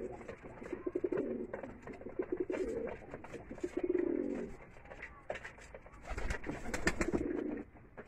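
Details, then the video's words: Pigeons at feeding time in a loft in Bangladesh, giving low, throaty rolling coos in repeated bursts of about a second, with several overlapping birds, soft wing and shuffling noises, and room echo. "Pigeon Feeding Loft"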